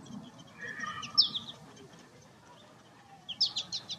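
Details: American goldfinch in winter at a backyard feeder where the birds eat sunflower seeds: two short bursts of high, thin twittering notes about two seconds apart, over a soft background hum.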